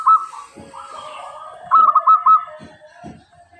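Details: Local zebra dove in full, clear voice, kept as a lure to get other doves calling: soft mid-pitched cooing followed by a quick series of bright staccato notes.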